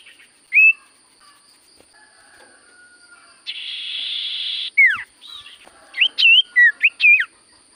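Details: Common iora singing actively: an isolated rising whistle, a long raspy hiss, a sharp falling note, then a lively cluster of twisting, looping whistles.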